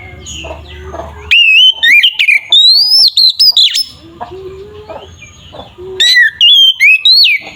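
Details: Oriental magpie-robin in loud, lively fighting-style song used to provoke other magpie-robins into anger and fighting: bursts of rich whistles sweeping up and down, with quick trills and slurred notes. Quieter chattering and other bird calls fill the pauses between bursts.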